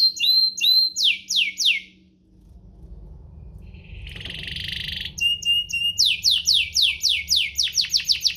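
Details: Canary song played to stir other canaries into song: quick descending swept notes and chips, a pause with faint noise and a brief buzzy roll, then more rapid falling sweeps with high clipped notes.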